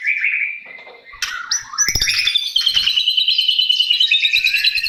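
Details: White-rumped shama singing, played to prompt a silent shama back into song: a wavering whistle, then quick repeated high chattering notes, about three per second, with a few sharp clicks partway through.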